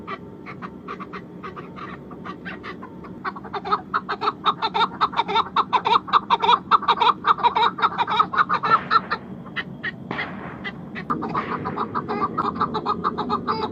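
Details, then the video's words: Chukar, named as the national bird of Pakistan, calling with rapid repeated clucks that swell into a dense chattering series, pause briefly, then resume more softly over a low background rumble. "call of national bird of Pakistan chukar"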